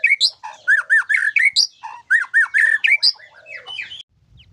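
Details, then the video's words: White-rumped shama song with isian fill-in: rapid bursts of clear rising and falling whistles and buzzy chips in quick succession, fading to softer notes and near silence at the end. "Suara Burung Murai batu dengan Isian mantap"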